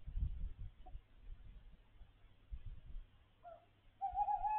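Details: A tawny owl perched on a roof above a window gives a brief low note, then begins a steady, slightly wavering hoot that is cut off; a low rumble runs beneath.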